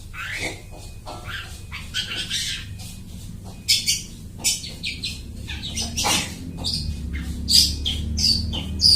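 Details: Long-tailed shrike singing in a lively mimicking style, copying other birds, used as a lure for bird trapping; scattered harsh chirps and squawky notes between 2 and 8k, irregular bursts, steady low hum behind.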